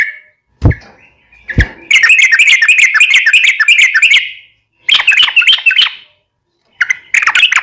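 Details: Yellow-vented bulbul song in a long, rapid style, played as a lure for caged bulbuls: a couple of sharp clicks, then dense chattering bursts of bubbly notes with short gaps between them.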